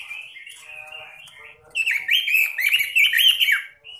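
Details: Robin in full, energetic song, noted for an unusual, eccentric voice: quiet wavering warble at first, then a loud, fast, continuous run of bright twittering and slurred whistled notes before a final short phrase.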